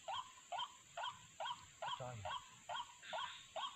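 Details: White-breasted waterhen, a lure recording for trapping birds: rhythmic, croaking 'wak' notes with a quick upward hook, repeated a little over twice per second. A steady high electronic whine runs underneath.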